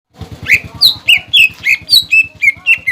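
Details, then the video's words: Cucak ijo song used as a lure to provoke young and unsettled birds into singing: a rapid series of loud, sharp whistled notes dropping from high to lower pitch, about three per second, over a faint low background hum. "PANCINGAN CUCAK IJO BIAR EMOSI BUAT CUCAK IJO TROTOLAN MUDA DAN OMBYOKAN AGAR BUNYI"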